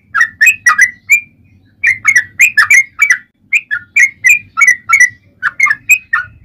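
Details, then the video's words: Yellow-vented bulbul in long ropel panjang song, used to lure other bulbuls into singing: bubbly, warbling whistled notes in quick groups with a brief gap, over faint low background hum. "SUARA trucukan gacor ROPEL PANJANG buat Pancingan trucukan agar bunyi"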